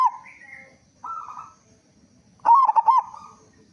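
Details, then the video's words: Local zebra dove, a loud-voiced singer used as a lure to get other doves singing: a loud bubbly cooing phrase of quick pulsed notes near the end, after softer, smoother coos at the start. "Perkutut Lokal Gacor Suara Besar Pancingan Burung Perkutut Agar Cepat Bunyi"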